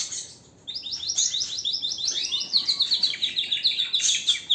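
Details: Canary pouring out a vigorous song after a short quiet start: quick high trilled notes sliding downward, then faster rolling phrases repeated in rapid series.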